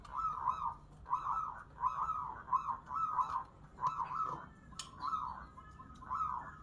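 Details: Zebra dove singing at a local singing contest: a steady run of soft, rolling, warbled coo phrases, each about half a second long, following one another with brief gaps, with a sharp click near the end and faint low background hum.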